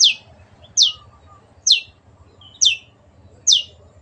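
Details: Long-tailed shrike, locally cendet, giving clear, high down-slurred notes for pet birds to imitate: five sharp notes under a second apart, some with a short soft lead-in, over a low rumbling hum.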